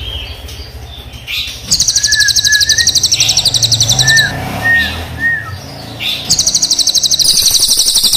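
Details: Crested jay, black and brown birds, singing long rolling rattles: two bursts of fast metallic pulses separated by short whistled down-slurred notes repeated three times.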